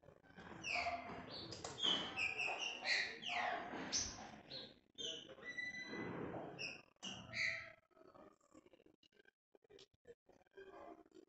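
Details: Green-winged saltator (trinca-ferro) singing in the escorrida style: a run of loud whistled and slurred notes, several sweeping downward, over a steady low rumble for about eight seconds, then quieter scattered clicks and noises.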